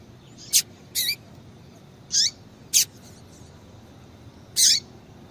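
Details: Five short, thin, high calls from a female double-collared seedeater, used to stimulate male birds into singing. Some calls drop in pitch, spaced irregularly over five seconds against a faint hiss.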